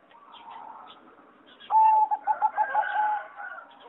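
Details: Singing zebra dove, a line selected from wild mutants for competition song, in a flight aviary on 26 April 2014: a sudden sustained whistle, then a quick burst of gurgling rolled coos over softer chatter from other birds.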